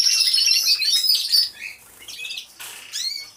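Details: Aviary canaries singing, heard through a hidden camera: loud, rapid high trilling for about a second and a half, then softer scattered chirps and a final rising whistled note.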